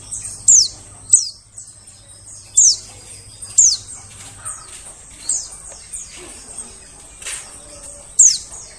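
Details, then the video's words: White-eye calls used as a lure for catching birds in the forest: thin, very high notes that slide sharply downward, repeated at irregular intervals about once a second, over a faint low hum. "suara pikat burung pleci"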